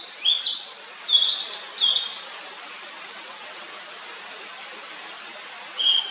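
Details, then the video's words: Blue-and-white flycatcher singing a rapid series of high, slurred whistled notes, roughly one every second, ending with a sharp rising note. After a long pause, a short whistled phrase begins again. Faint background hiss. "オオルリの鳴き声The cry of Cyanoptila cyanomelana"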